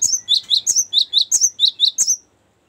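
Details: Cinereous tit ngerol panjang song for luring and training birds: about ten bright, high two-part chirps repeated quickly and evenly, then silence.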